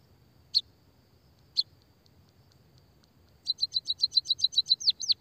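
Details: Sparrows (pipit, emprit, peking, bondol, kaji) in Indonesia, in a recording used to lure and stimulate lazy caged birds into calling. Two sharp high chirps, a pause, then a fast run of about fourteen rapid high chirps ending in slurred notes.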